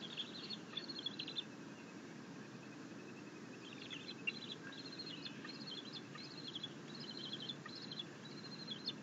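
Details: Bald eagle eaglet fed a fish by its mother, having first attempted to feed itself on a rabbit; happy chittering comes as rapid runs of short, high squeaky notes, briefly at first, then repeated steadily through the second half, against low steady noise.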